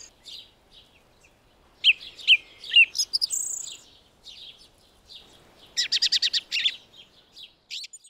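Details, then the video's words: A song thrush sings at dawn in a garden in spring: loud, varied, high phrases, including a rapid burst of repeated notes, separated by short pauses, with a faint dawn chorus behind. "Listen to the garden dawn chorus (Song thrush)"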